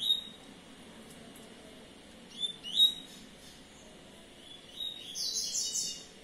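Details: A double-collared seedeater, said to be in contest mood, in Baixada Santista, sings short, high, thin phrases: a quick rising whistle, then a dense buzzy burst near the end, sounding somewhat distant.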